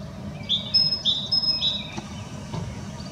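European goldfinch giving three quick, bright tinkling phrases, each a high liquid twitter, over about a second and a half, with a low distant rumble beneath.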